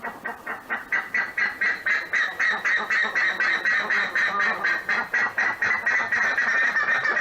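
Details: Buff-necked ibis of the Pantanal calling in a loud, rapid, metallic honking chorus, about four strident notes per second held steadily for over seven seconds.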